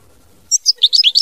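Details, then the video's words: European goldfinch, mama binette style song: a brief, bright flurry of high, tinkling twittered notes beginning after a half-second pause. "Chant Chardonneret mama binette"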